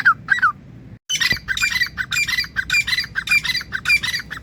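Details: Grey francolin, known as teetar, giving loud harsh squawk notes in a fast repeated series after a short gap of silence.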